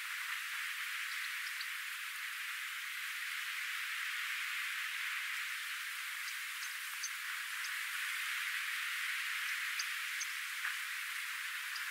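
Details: Steady high hiss like rain or static, with a few faint ticks and no clear animal voice.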